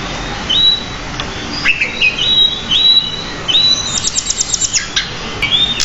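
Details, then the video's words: Decu, pied bushchat, singing in a masteran recording described as lively and richly varied; repeated short clear whistles with upward hooks every second or so, plus a quick stuttering trill near the end. "Masteran Burung Decu Gacor Roll. isian Banyak"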